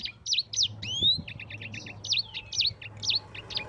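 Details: Sanger (yellow-fronted canary) singing a lively ngerol rolling song, used as a tutor recording for other birds: rapid high chirps and sweeping whistled slurs, with a long rising whistle near one second, over a faint low hum.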